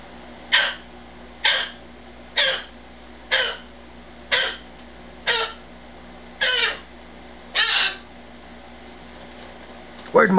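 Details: A rescued male umbrella cockatoo, kept indoors as a pet, screams after being left without his nightly good-night ritual; harsh broadband screeches repeat about once a second, nine in a row, ending with a rising call and a man's voice.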